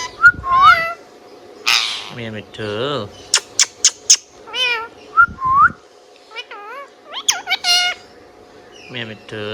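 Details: Indian ringneck parakeet, a pet bird, alternating short looping whistles, sharp clicks and wavering speech-like notes, with some low voice-like phrases, in an irregular chatter lasting the whole stretch.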